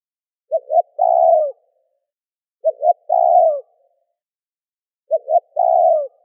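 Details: Spotted dove coos used to excite wild doves, three evenly spaced phrases of two short hoarse notes and one longer downslurred coo, roughly every two and a half seconds, against silence.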